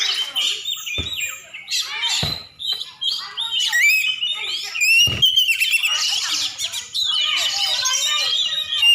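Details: Song of a champion oriental magpie-robin from Aceh: quick chirps and down-slurred notes, then a long run of rich whistled and trilled phrases with several sharp clicks.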